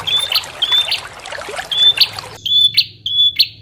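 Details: Bar-winged prinia lure sound: clear high whistled notes, each followed by a sharp ticking flourish, given about every half second, over a low steady hum and soft water noise.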